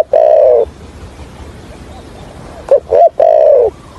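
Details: Spotted dove used as a trapping decoy, with a stuttering 'thổ' coo style; a drawn-out falling coo near the start, then two short clipped notes and another long descending coo, over faint background hiss.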